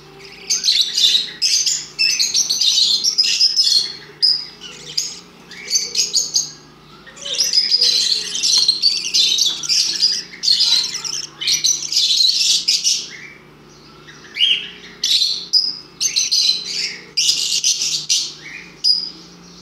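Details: Pet budgerigars being hand-fed chatter in rapid bursts of high, scratchy chirps and warbles, almost nonstop.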